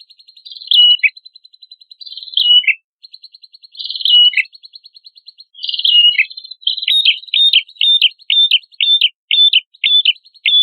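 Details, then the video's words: Prenjak kepala merah in energetic song, recorded as training material for songbirds: dry tick series broken by buzzy descending phrases, then a looping note repeated about eight times in quick succession. No other sounds. "MASTERAN PRENJAK KEPALA MERAH GACOR"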